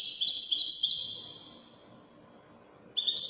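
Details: Moroccan Wedani-style song of a European goldfinch: a loud high rippling trill fading away over a second and a half, quiet pause, then a fresh sharp high phrase starting abruptly near the end.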